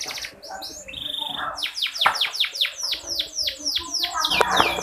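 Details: Female canary sound to encourage sluggish male canaries to sing; a brief whistle and trill, then a run of about ten loud, evenly spaced downward-sweeping notes ending in a harsh burst.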